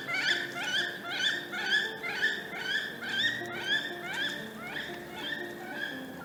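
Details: Wood Duck on Florida's St Johns River gives strident, rising squealed alarm notes, as when disturbed and flying away, about two per second in a steady series, with quieter background tones.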